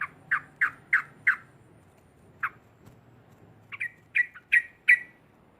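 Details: A yellow-vented bulbul gives loud, cackling, bubbly mid-pitched notes, five in quick succession, then a pause and a burst of jumbled phrases, over a low hum. This is a recording used to provoke other bulbuls.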